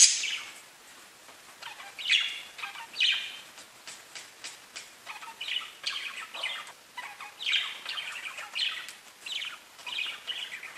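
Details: Budgies kept as pets give a loud squawk at the outset, then bursts of fast twittering warble with short quieter gaps between phrases.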